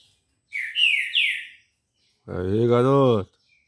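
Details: Green-winged saltator, early morning at 6:30 on Monday 18 October, sings a short phrase of three bright, sliding whistles. A man's voice then speaks briefly, encouraging the bird to sing again.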